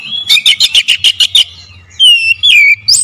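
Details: Oriental magpie-robin lure song delivered in powerful, clear bursts: about nine rapid harsh pulsed notes repeated evenly, then loud clear whistles sliding downward, over a soft low hum.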